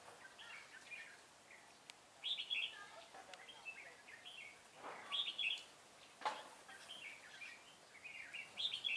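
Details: Red-whiskered bulbul decoy bird singing a fighting song at a trap in Vietnam on 25 April 2017; bright warbled phrases repeated every few seconds, with brief rustling noises between.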